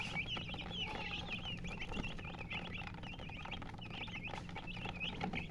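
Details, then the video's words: Chicken chirping: many short, high, quick chirps in busy, overlapping runs throughout, over a steady low hum. "silly chicken chirping sounds with murgi hen color chicken"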